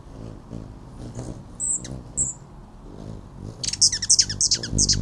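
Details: Male Allen's hummingbird (Selasphorus sasin) chattering at a female's arrival: a couple of thin, very high squeaks, then a quick burst of sharp, high chattering chips in the last second, over a low steady hum.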